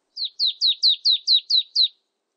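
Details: Marsh tit calling: eight clear, downslurred notes given in a quick, evenly spaced series, each sliding from high to lower pitch, with no other sounds.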